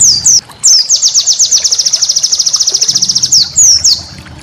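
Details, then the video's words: White-eye master song for training cage birds, a rapid series of high thin notes repeated about ten per second, bracketed by sharp descending whistled slurs at the start and end. "masteran burung pleci"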